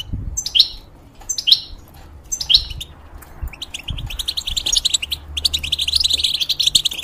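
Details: Moulting European goldfinch in a cage gives three clear down-slurred call notes about a second apart, then breaks into a fast, continuous, tinkling twittered song.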